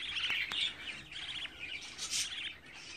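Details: Captive budgerigar brood with the oldest chick at 24 days, fed by a parent: thin, high chirps and short rising-falling twitters in irregular bursts.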